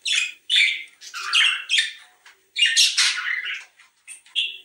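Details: Budgerigars chattering, a sound used to prompt breeding: bursts of buzzy, warbled squawks and chirps in uneven phrases with short pauses, closing with a brief whistled note.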